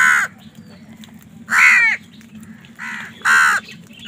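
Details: Loud, coarse caws from crows fighting over food come in short bursts roughly every one to one and a half seconds, four calls in all, with a low hum between calls.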